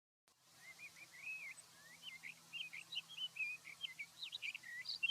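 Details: Male Sage Thrasher in big sagebrush near Silver City, Montana, early morning, July 2022, singing as he lands in a half-open-wing display: a long, fast, bubbling, warbled song with an imitation of a Long-billed Curlew's 'curlew' whistle woven in; faint hum.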